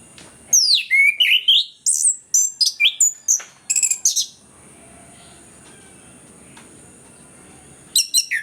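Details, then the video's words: Orange-headed thrush pouring out a rapid, varied song of sharp high whistles, downslurred notes and quick trills, played to prompt lazy birds to sing; a quiet gap follows, then another short burst, with a steady thin background whine. "ANIS KEMBANG GACOR, PANCINGAN AK MALAS BUNYI BIAR GACOR"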